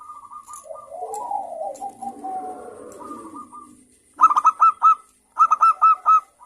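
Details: Lively local zebra doves answering one another, a recording meant to stimulate other birds to sing quickly. Soft, low, wavering cooing gives way to two bursts of sharp, rapid, hooked coo notes.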